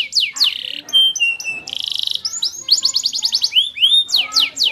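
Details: Canary in loud, varied song: fast buzzy trills, rattling pulse runs and sweeping high whistled notes, switching between tours every fraction of a second with no pause, bright and clean against a quiet background.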